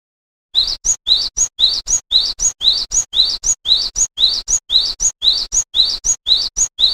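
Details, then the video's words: Java sparrow song, known locally as glatik wingko: short bright rising chirps repeated steadily about twice a second, each sweeping upward, with no other sounds. "Kicau Burung Glatik Wingko"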